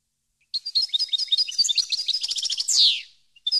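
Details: Goldfinch song used to educate captive birds: rapid bright tinkling twitter of varied high notes, closing with a drawn-out buzzy descending slur, then a couple of short chirps after a brief gap.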